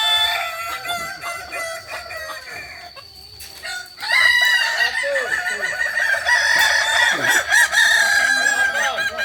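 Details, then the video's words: Crowing training of Kokok Balenggek chickens at Ampang Kualo, Solok. Softer overlapping crows open the clip. Near 4 seconds a loud, long multi-syllable crowing chorus starts and continues steadily to the end. "latihan ayam kukuak balenggek"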